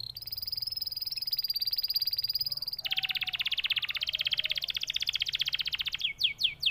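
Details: Canary song: long sustained high whistled tones, then a fast buzzy rattling trill of rapid repeated notes, ending in a few sharp rising chirps.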